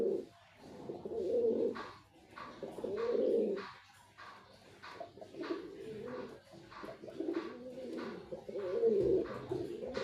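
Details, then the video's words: Male white pigeon giving deep, burbling coos in long swelling phrases, rising and falling in loudness, with soft tapping noises in the background. "Pigeon🕊️ Sound Effect 🔊 || Male Pigeon🕊️ Super Performance👍 || White Pigeon🕊️"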